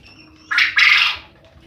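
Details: Loud call of a male quail that keeps the neighbours from sleeping: one brief grating note then a longer, rough, buzzy note, each strong and sudden, with little else audible.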